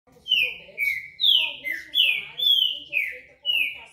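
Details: Green-winged saltator (trinca-ferro verdadeiro) singing a rapid series of about seven loud, clear, downslurred whistled notes that alternate slightly in pitch, roughly two per second, with faint speech murmuring in the background.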